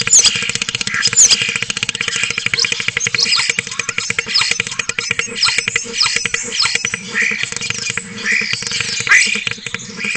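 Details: Webcam recording from Cabañeros National Park of a spotless starling's mechanical-sounding song passage: a long, dense stream of rapid clicks and rattles with brief squeaky whistles, over a steady hum.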